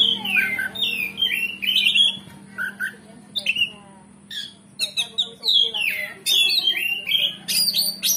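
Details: Oriental magpie-robin (kacer) song used as a lure to anger rival kacer into answering; loud descending whistles and scratchy notes in bursts roughly every second, short pauses between, low hum in the background.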